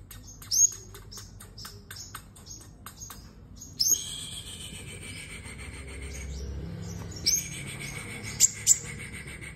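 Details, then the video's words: Sunbird singing in competition, giving quick series of high, dry chip notes and several loud, thin squeaky whistles with short twittering phrases, against a faint low rumble. "Hút Mật 7 Màu Hót Đấu"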